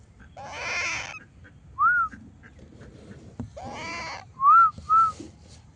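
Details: Baby parrot giving two raspy, harmonic calls about a second long, at the start and near the middle, with three short, clear whistled notes that rise and fall in between.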